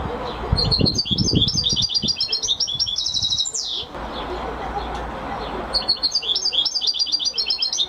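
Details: Goldfinch singing repeated phrases of quick, evenly spaced chirps and buzzy trilled notes, the phrase ending in a rising slur and then starting again, over low rumbling background noise.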